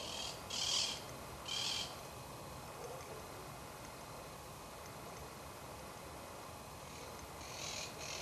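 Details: Striped owl at Reserva Natural Urbana General San Martin, Cordoba, in August 2012. Two harsh, broadband hissing bursts arrive about a second apart, followed by a long quiet stretch of faint background noise and a softer third burst near the end.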